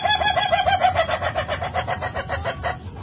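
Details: Ayam ketawa chicken, a laughing-chicken breed, crowing melodiously: a rapid series of short stuttering pulses around four per second, fading gradually over three seconds like a rolling laugh.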